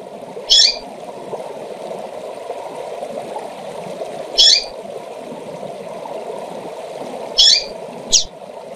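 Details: Female double-collared seedeater calling to excite males: short bright high chirped bursts about every three seconds, the last a doubled note, over a steady rushing water-like background.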